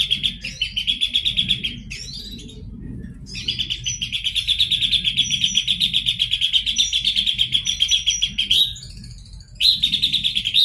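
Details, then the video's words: Long, energetic song of a Horsfield's babbler: sustained fast rattling trills of high, rapidly repeated notes running for several seconds, broken by short gaps and occasional sharp upslurred whistles. "pelanduk semak gacor"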